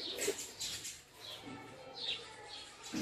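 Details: Quiet recording of house sparrows fighting for a nest in a house: scattered short, high chirps in small clusters, with a brief lull midway.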